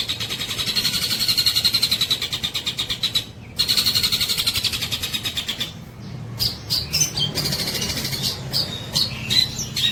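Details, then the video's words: Long-tailed shrike singing actively and imitating tengkek buto kingfisher calls: long rapid rattling trains of harsh high notes, a brief gap, another rattle, then scattered sharp chips and squeaky whistles over a low background hum. "CENDET GACOR NEMBAK TENGKEK BUTO TEMBUS"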